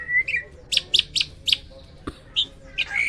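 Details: Hybrid myna singing loudly in a series of short, sharp, high notes spaced well apart, with a brief whistle at the start and a rising note at the end.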